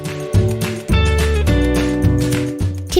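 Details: Instrumental music with sustained tones and shifting chords plays throughout, with no animal sound.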